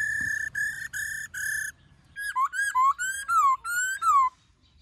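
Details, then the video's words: Laughingthrush forest song, Black-throated type, for training young birds: four level whistled tones, then a series of bright downslurred whistles about three per second. "Khướu Hót GIỌNG RẤT HAY- NHIỀU GIỌNG.giọng rừng kích khướu bổi luyện khướu bổi hót căng lửa"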